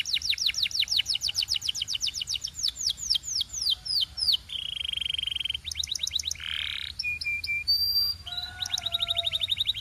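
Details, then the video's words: A long canary song: a run of quick repeated whistled sweeps, a harsh buzzy stretch, more rapid notes, a rough burst, short piping tones, and a final fast rattle. "Relaxing Canary Singing Sounds for Bird Lovers"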